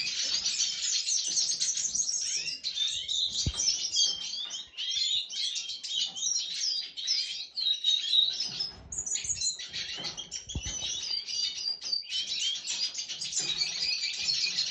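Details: Red siskin (Spinus cucullatus) singing a rapid, continuous twittering song of high buzzy trills and chirps, with a few light knocks in the background; recorded 20 December 2023.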